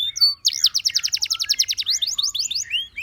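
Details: Gloster canary singing to coax its companions to sing: a brief whistled note, then a fast burst of repeated sharp chirps slowing into spaced descending notes and a final rising whistle.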